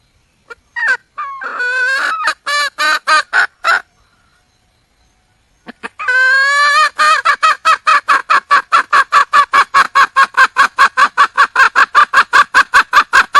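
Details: Wild junglefowl hen calling for a male mate. A few harsh, harmonic-rich clucks, then a pause, then a long fast run of loud, evenly spaced cackling notes, about two or three per second, steady to the end.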